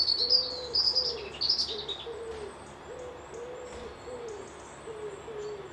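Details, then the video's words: Near a loch at Piperdam Lodges in Dundee, a bird gives soft, low, arched cooing notes, roughly one or two a second, while bright high whistled phrases open the recording and fade away. "Birds whistling"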